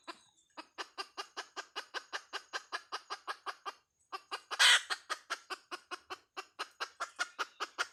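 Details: Hen clucking in a long, even train of short notes, roughly four a second, broken once by a short gap and a single loud, harsh squawk before the rhythm carries on.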